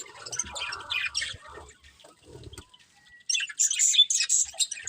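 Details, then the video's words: Budgerigar breeding pair: scattered squeaky chirps and chatter with low rustling and tapping, a short pause, then a burst of bright, high, sharp chirps. "Cute Budgies Chirping Sounds"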